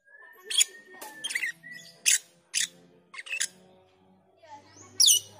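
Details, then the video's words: Black-winged myna calling as a training lure for the cucak keling: short harsh rasping bursts at irregular intervals, with a thin steady whistle and a low background hum. "Suara panggilan JALAK KELING lanjut ngriwik dan teler pancingan untuk melatih cucak keling"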